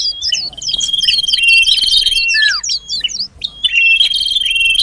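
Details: Common iora lure sound for pulling birds closer: a steady thin whistle under a stream of quick up-and-down chirps, ending in descending slurred notes and further twittering.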